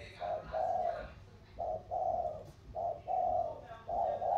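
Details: Spotted doves in a thổ-style cooing match, Sóc Trăng lowland bird against Cam Ranh mountain bird, Vietnam. Soft hollow coos in pairs, a clipped note leading a longer one, repeating roughly every 1.2 seconds.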